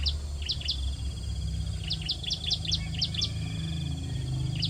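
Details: Hungry bar-winged prinia chicks at the nest being fed by a parent: sharp, high chirps falling quickly in pitch, given in loose bursts and short runs over a steady low hum.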